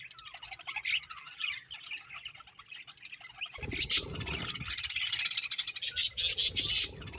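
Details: Budgerigars chirping: dense, high warbling chatter from several birds, quieter at first, then louder and busier after a low rumbling thump midway, with sharp squawky notes scattered through.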